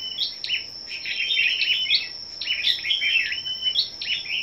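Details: Scarlet-backed flowerpeckers assembled for a morning singing contest on 10 May pour out dense, high, ticking notes and brief slurred trills, two or three bursts each second, with a constant thin electronic-sounding whine behind.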